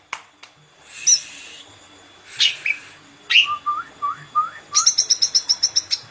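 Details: Green leafbird mixing hissy bursts with a row of short rising whistles, ending in a rapid even series of about ten clipped metallic notes.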